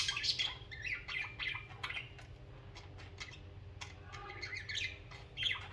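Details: Social pet budgerigars chirping and warbling together, a busy run of short scratchy notes and quick squeaky twitters, several birds overlapping, with a faint low hum underneath.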